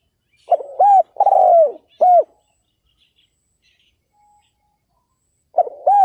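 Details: Spotted dove kept as a decoy to entice wild males, giving a four-note cooing phrase with one long falling middle coo, a pause of about three seconds, then the phrase beginning again.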